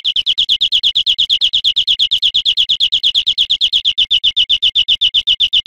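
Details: Teaching recording of European greenfinch song for cage birds: a continuous rapid trill of repeated high chirps, steady throughout, slightly changing note shape in the last seconds, in clean studio-like quiet.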